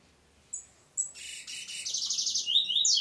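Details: A double-collared seedeater (Sporophila caerulescens) song: two thin high whistles, then a fast, buzzy, metallic warble that climbs higher and grows louder toward the end.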